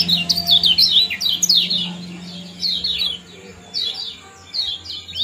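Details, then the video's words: Common iora in 'ciak jos' calling style, used to prompt breeding condition; lively series of bright, high down-slurred chirps, dense at first, then spaced into small groups, over a faint low hum. "Kombinasi ciak jos spesial pancingan kecial kuning"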